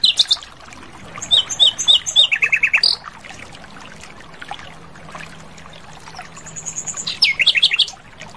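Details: Asian brown flycatcher singing lively in the wild: bursts of sharp high chirps and short descending notes, a two-second run of quick twittering, a pause with faint background calls, then another rapid chirping phrase near the end.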